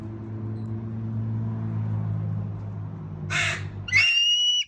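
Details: Captive ambassador bald eagle at a bird treatment and learning center, 10 October 2024: after several seconds of low steady hum, a brief harsh burst is followed by a high, clear, harmonic call near the end.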